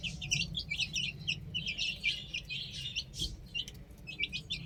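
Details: Many chicks on a roof chirp fast and overlapping, a busy patter of sharp high peeps with a brief lull near the end, above a constant low rumble.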